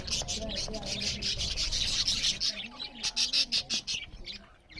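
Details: Budgerigars chirp loudly as they eat: a dense high chatter that breaks into quick rhythmic bursts of chirps in the second half.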